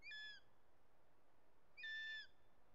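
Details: Bonelli's eagle (Aquila fasciata): the young bird at the nest screams as the male brings a snake, Ports Natural Park, Catalonia, 13 August 2023. Two thin, level whistled calls with a harsh edge, nearly two seconds apart, over soft hiss.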